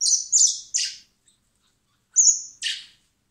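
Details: Young common blackbirds being hand-fed in spring at a wildlife recovery centre before release: high whistled notes running into raspy, buzzy begging squawks, two clusters close together.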